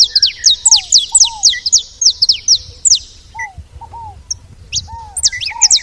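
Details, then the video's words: Saffron finch at a feeder: a rapid series of high, steeply falling chirps, about two per second, then scattered chirps, with lower bowed whistles from other birds and light background noise. "Canário da terra fazendo barulho na seva"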